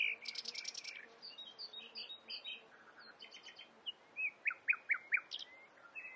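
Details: Common nightingale, described as one bird voicing a flock's worth of calls, sings varied phrases: dry rattling bursts, short whistled slurs, a brief low trill, then a series of sharp, upward-flicking notes over a faint background hiss.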